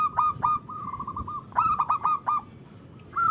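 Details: Female zebra dove calling to a male, played to coax local males into song: quick series of hollow, slightly nasal coos on a steady pitch, grouped in bursts with sharp clicking accents, then a brief pause and a fresh phrase.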